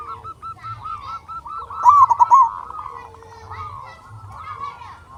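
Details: Several local zebra doves sing together for a lure recording meant to provoke other doves: a continuous string of soft coos with one louder, rapidly pulsing phrase in the middle.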